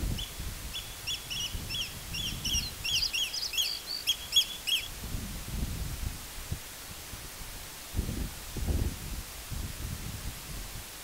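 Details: Eurasian oystercatcher filmed May 31, 2023, giving shrill, piping 'kleep' notes, several per second, for about five seconds, with low wind rumble throughout.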